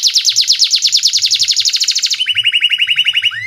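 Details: Canary (Serinus canaria) song used as a lure to train young canaries to sing: a fast, high trilled run of about two dozen notes, then a slower, lower rolling trill ending in a rising whistle.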